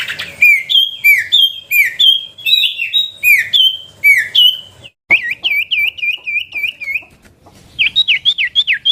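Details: Common iora song in a chattering style: paired, sweeping whistled notes repeated about every half second, then a quicker run of short curling whistles and a final burst of rising notes.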